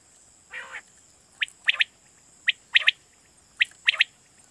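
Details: Quail call played to lure quail for night hunting in Pakistan: one soft raspy burst, then crisp high notes in pairs and triplets about once a second, with a faint humming background.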